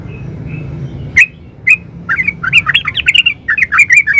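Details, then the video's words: Yellow-vented bulbul singing in the lively 'gacor ropel uplik' style: two isolated sharp chirps, then a fast bubbling run of liquid, rolling notes that rise and fall without pause. "Suara burung trucukan GACOR ropel uplik"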